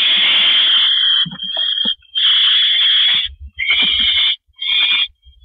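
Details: Barn owl at a nest with an inside and outside camera, male delivering food to his mate on the porch in April at 8:25 pm; loud harsh hissing screeches about a second long, broken by short gaps and soft clicks.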